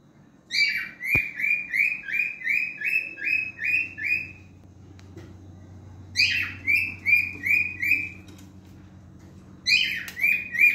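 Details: Male cockatiel, locally called the French cockatiel, singing: bursts of about eight clear whistled notes, each dipping then levelling, about three per second, separated by short pauses, with a low steady hum behind.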